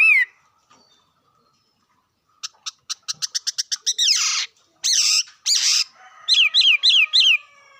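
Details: Bird vocalizing: a brief high downslurred whistle, a pause, then a rapid series of dry clicks speeding into harsh, rasping bursts, followed by three or four quick whistled notes that each drop in pitch.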